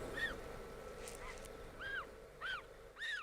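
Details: African penguin chicks at the nest in a Cape Town colony, on a July evening, give five thin, arched whistled peeps that rise then fall, about every half second over a low steady rumble. Chick calls differ from the donkey-like adult calls.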